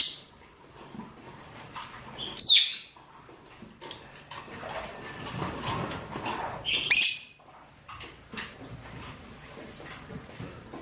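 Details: Male and female rosy-faced and Fischer's lovebirds calling to mate: a steady stream of thin, high chirps, broken by two loud, harsh screeches about four seconds apart, with faint low background rumble.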